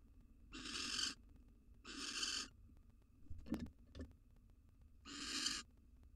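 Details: Wild female barn owl in a nest box, receiving and gobbling a mouse from her male companion, possibly near egg-laying. Three harsh, hissing screeches, each about half a second long, spaced roughly one to two seconds apart, with faint scuffling sounds between them.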